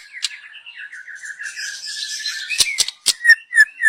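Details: Young wild white-rumped shama, song meant as a lure: a long run of soft rapid twittering notes, then sharp clicks and a few loud short whistles at the end.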